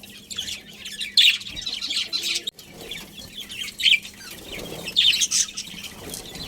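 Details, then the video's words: Budgie colony chatter, uneven high twittering and scratchy chirps rising and falling in loudness, with a short break partway through and a faint low hum behind. "Cute Budgies Chirping Sounds"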